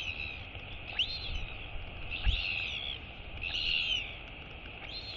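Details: Royal albatross chick greeting its returning mother, giving high whistled wheeps that arch up and down, roughly every second, over steady low background noise.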